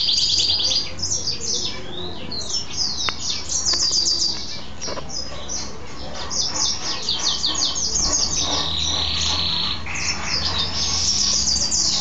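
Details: Pet male goldfinch mule singing on after a bath, long rambling song of quick high twitters, slurred whistles and trills with brief pauses, a couple of sharp clicks, steady low hum behind.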